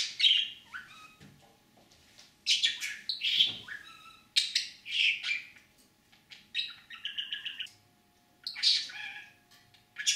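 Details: A talking pet budgerigar, imitating words it was taught, chatters in scratchy, high bursts and quick warbles, with a fast stuttering run of notes midway through; nothing else is heard.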